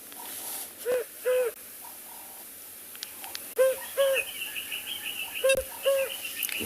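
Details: African cuckoo (Cuculus gularis), common at this time of year in a South African game reserve on a January morning, giving paired hollow hooting notes, two-note phrases repeated about every two seconds, hoopoe-like, with a man speaking and faint other birds.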